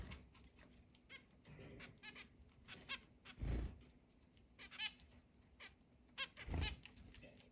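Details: Zebra finches, a group of eight kept as house pets with a large cage and free flight indoors, give short, nasal, trumpet-like beeps at irregular intervals over a low hum, with a couple of soft thumps, 10 July 2022.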